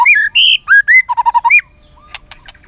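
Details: Song of a white-rumped shama full of borrowed phrases, meant to stir other shamas to sing: clear, loud whistles, then five quick, even notes, then sharp, scratchy ticks.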